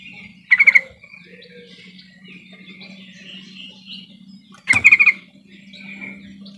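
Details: Trucukan call played to prompt silent trucukan birds to start singing: two short bursts of rapid stuttered notes near 0.5 and 4.7 seconds, with faint warbling and a low hum between.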